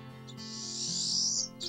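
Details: A Pine Siskin in a snowy northern forest in winter gives one long, buzzy, rising call lasting about a second, over soft background music.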